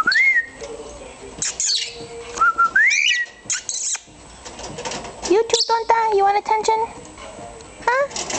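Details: Pet cockatiel described as always mad at the world, calling indoors: short whistled notes that sweep upward, level held tones and brief chattering bursts separated by pauses, with faint background noise.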